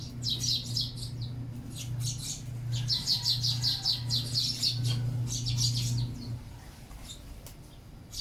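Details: Sparrows chattering as they feed: rapid, overlapping high chirps in bursts for about six seconds, over a constant low electrical hum that then cuts out.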